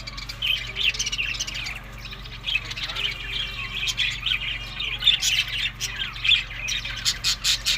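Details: Budgerigars eating summer food in May to June chatter in scratchy warbles and chirps, the calls rising and falling in loose bursts, with a faint low background hum.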